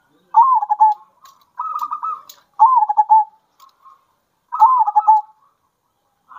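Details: Zebra dove song, local birds combining bekur and kerot styles, played to rouse other doves: four separate stuttering cooing phrases, each a quick trill sliding slightly downward, about two seconds apart, with faint short notes between.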